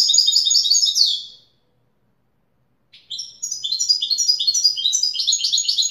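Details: European goldfinch singing a pure Widani-style song: rapid, dense twittering and trilled high phrases for about a second, a pause, then a longer run of bright, jangling, repeated notes. No other sounds.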